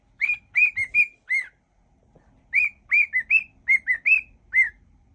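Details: Cockatiel kept at home whistles a song mash-up in two phrases of bright slurred notes split by a pause of about a second.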